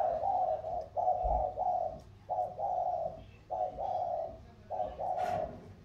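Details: Thổ cooing of spotted doves dueling, a Mekong delta bird from Sóc Trăng and a mountain bird from Cam Ranh, Vietnam. Loud, close, mellow short-long coo pairs, five in a row, with a brief knock.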